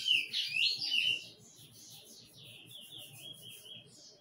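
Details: Bullfinch giving loud warbled whistles, then a softer run of quick repeated piping notes that fade off.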